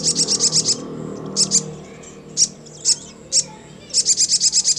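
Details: Sogon, the crimson sunbird, singing to prompt other sogon to respond and ngleper: quick high ticking runs at the start and end, three or four separate sharp chips in between, steady low hum underneath.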